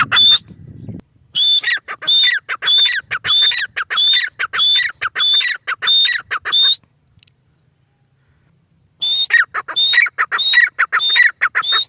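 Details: A female grey francolin calls in two bursts separated by about two seconds of silence. Each burst is a quick train of ringing, whistle-topped phrases with raspy falling tails.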